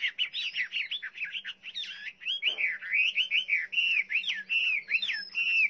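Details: Chinese hwamei delivering a fast, continuous string of loud looping whistled notes, each phrase swooping up and down, with a steady faint low hum in the background.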